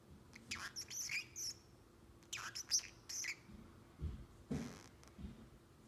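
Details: Seven-month-old male Pacific Parrotlet kept indoors as a pet, uttering clusters of high squeaky chirps with brief pauses between groups, plus some soft thumps and rustling.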